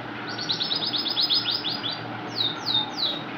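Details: A yellow male Iranian canary, brought indoors from Karachi's summer heat, sings in answer to a female's call: a rapid, high trill of about a dozen chirps in under two seconds, then three clear descending whistles, over a low indoor hum.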